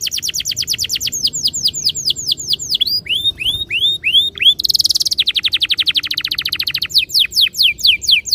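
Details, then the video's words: Canary song used as a lure to get canaries singing fast rolling trills: rapid high trills, then a run of sweeping downward-curving whistles, a dense buzzy burst, and more fast descending notes. "Suara mastetan burung kenari _ PANCINGAN AMPUH KENARI BIKIN CEPAT BUNYI NGEROL GACOR"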